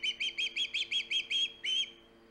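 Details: Hog Island osprey at the nest, 3 September 2019, caught on a live cam: eight quick piercing whistles in a row, then a longer, drawn-out final note, with a constant low hum behind.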